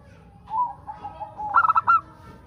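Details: A local zebra dove sings, used as a lure for other doves to sing. Soft low cooing comes first, then a burst of four rapid bright notes and one longer closing note.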